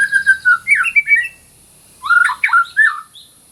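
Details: White-rumped shama, training song for birds that stopped singing: whistled notes sliding down, a harsh squawky phrase, then after a pause a cluster of loud slurred whistles.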